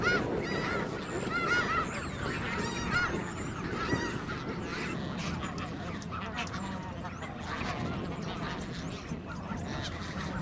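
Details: Snow geese resting at Garry Point in Richmond, British Columbia, on a southbound migration stopover in 2018; a dense flock chorus of overlapping honking and yelping calls with steady low background rumble.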